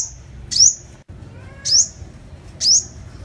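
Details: Three loud, thin, high chirps from a sunbird (hút mật 5 màu) in a lure recording, spaced about a second apart, each a sharp downward-slurred note.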